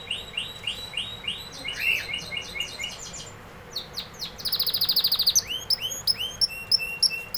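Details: A canary sings a series of distinct trill tours: evenly spaced curved notes, then a dense buzzy rattle, followed by loud upswept whistles repeated several times a second.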